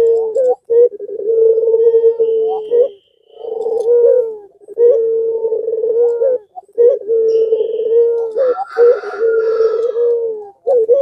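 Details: Spotted dove, a kept puter pelung, calling to provoke other doves into answering: long, steady, low hooting coos with slight wavering, repeated in phrases separated by short pauses, with faint higher chirps from other birds.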